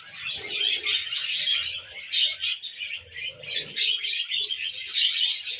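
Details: Tame budgerigars eating wheat germ, keeping up a busy chorus of overlapping high chirps and scratchy warbles that swells and dips, over faint low rustling.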